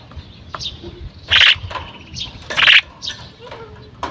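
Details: A female common myna calls with two loud, grating squawks roughly a second apart, each lasting a fraction of a second, mixed with fainter short clicks and chatter.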